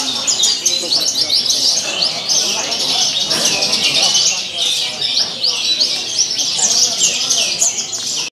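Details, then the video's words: Javan bush lark in a cage at a singing contest, singing hard with a lavish mimicked repertoire: an unbroken stream of rapid high chirps, trills and slurred notes, with a murmur of human voices in the background. "Aksi Memukau Branjangan Jawa Gacor Isian Mewah Saat di Gantang"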